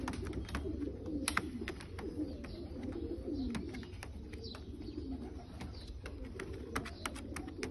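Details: Bulgarian pigeons in a loft keep up deep, burbling coos, with one rising-and-falling coo standing out near the middle. Sharp clicks and taps punctuate the steady murmur.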